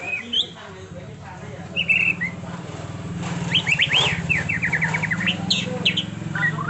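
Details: Rolling trontolan ngeroll song from a white-rumped shama: scattered whistles, then a fast run of short sharp notes repeated several times a second over a loud low rumbling hum.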